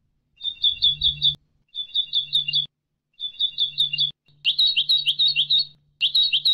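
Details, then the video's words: European goldfinch song for bird training: short rapid trills of metallic chirps in bursts about a second long separated by pauses, ending in a tumbling twitter, over a low electrical hum. "ekpedeutiko.karderina (educational goldfinch)"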